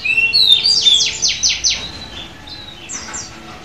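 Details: Oriental magpie-robin offered at auction in Semarang, Indonesia, singing at midday: bright whistled phrases followed by a rapid series of five or six descending rasping notes, then a quieter pair of high notes.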